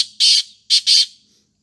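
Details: Black francolin calling: three loud, harsh, grating bursts, a longer first note followed after a pause by two closely spaced rasping notes, clean with no other sounds.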